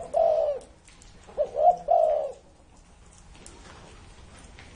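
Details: More than 30 years old, this spotted dove delivers a long mellow coo followed by a phrase of two short notes and another drawn coo, then a quiet pause.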